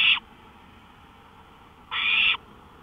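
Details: An owl out on a porch at 1:53 AM on May 5, 2013, giving two harsh, breathy hissing bursts; one is cut short at the start and the next follows about two seconds later. Faint background hum.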